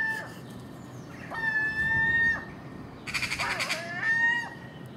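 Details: Gulls of the common species feeding on scraps in the early morning, magpies and crows present: long level high mewing wails, interrupted once by a burst of harsh rattling chatter.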